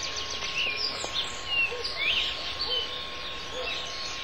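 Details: Austral (Patagonian) thrush (Turdus falcklandii) song: high, thin whistled phrases and slurred chirps in quick succession over a steady hiss. Soft low notes repeat about once a second.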